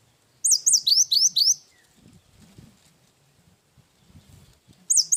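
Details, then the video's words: Cinereous tit singing actively in the isian wingko song style, used as a training recording for songbirds: five rapid, high, hooked whistled notes in a quick series, then a few seconds of faint low rumbling, then the series starting again. "Burung gelatik batu gacor isian wingko"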